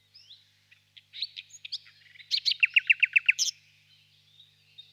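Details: Soft scattered notes build into a quick series of about eight loud, evenly spaced sharp notes from a singing common nightingale, closing with a high flourish.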